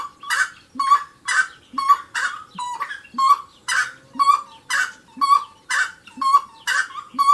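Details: Wood rail song: loud, rhythmic series alternating harsh, raspy squawks with clearer mid-pitched tonal notes, roughly one squawk-and-note pair per second, steady throughout with no other sounds.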